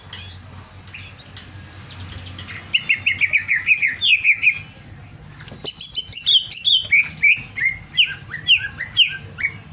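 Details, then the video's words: Greater green leafbird in an agitated, over-emotional singing state: two rapid bursts of short, sweeping whistled notes around three per second, bright and high, separated by a brief pause, over a faint low hum. "CIRI CUCAK IJO OVER EMOSI"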